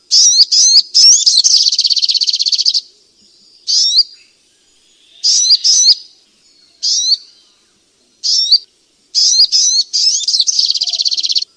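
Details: Striated grassbird song played to coax reluctant birds into singing. It opens with quick chirps running into a long rapid rattling trill, pauses, then gives scattered upslurred phrases, and closes with another fast buzzy trill. The background is silent.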